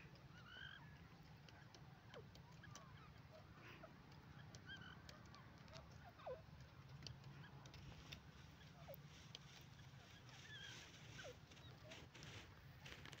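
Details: Wild grey francolin, known locally as teetar, calling: short, faint, curved whistled notes recur irregularly over a steady low rumble, with scattered clicks and taps in the background.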